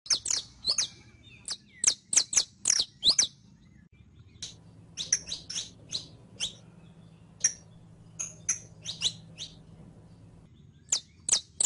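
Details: Saffron finch, called canario criollo, singing on a tutoring track meant to teach captive birds: quick bursts of sharp, high chipping notes in clusters, with pauses between and a low steady hum underneath.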